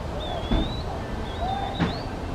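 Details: Eastern Wood-Pewee, one bird calling while another answers it, giving thin, high, drawn-out whistled slurred notes, two phrases about a second apart. A steady low rumble of background noise runs underneath.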